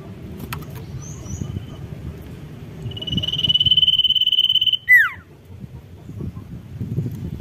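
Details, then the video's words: Sirtu in strong voice, singing to provoke a rival. A rapid pulsed trill, high and even, runs for almost two seconds and ends in a loud downward-sweeping whistle. Low rumbling background noise throughout. "SIRTU GACOR MERANGSANG BUNYI LAWAN"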